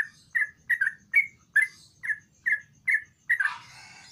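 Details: Sooty-headed bulbul in active song, meant to get a quiet bird singing: evenly spaced, mellow slurred chirps, ending in a harsher burst.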